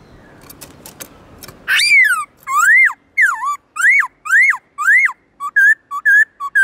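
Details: Training recording of a Black-throated laughingthrush's forest-style song. A few dry clicks, then a string of arching whistles rising and falling, ending in four short, even, higher notes in quick rhythm.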